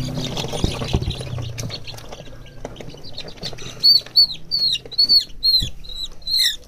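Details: Young farmed chickens, described as fat and around two weeks to two months old, giving a run of high, thin, downward-sliding peeps repeated roughly every half second after a stretch of rustling and shuffling noise.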